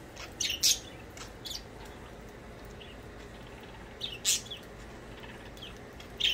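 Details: Budgies at play give brief bright chirps in two bursts about four seconds apart, with softer scattered tweets between and a faint low hum underneath.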